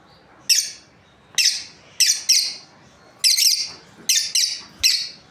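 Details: A breeding pair of lovebirds chirping, about nine sharp high squeaks, several in rapid doublets, spaced irregularly over a few seconds against a faint background hiss.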